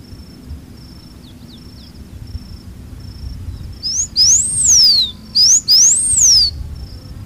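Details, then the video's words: Song of the blue finch, known locally as campainha-azul, from open Cerrado grassland: after a quiet start with faint high notes, two very high arched whistles, each led by a brief rising upslur, ring out close together. "O Canto do CAMPAINHA AZUL (Porphyrospiza Caerulescens) Bird Song - Blue Finch"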